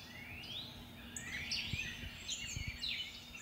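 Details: Backyard dawn chorus at 5:45am on Monday May 11th, recorded with a shotgun microphone: many birds calling at once, high chirps and rising whistles, with a steady low hum and a few soft knocks.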